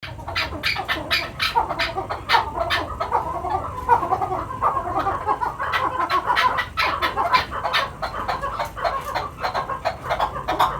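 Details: Chukar partridges kept on a farm in Quetta, giving rapid repeated clucking chuk notes in a dense overlapping chorus, several birds calling at once.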